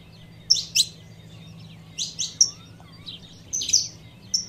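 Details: Female saffron finch calling to excite the male: bursts of two or three bright, high chirps separated by short pauses, over a steady low hum.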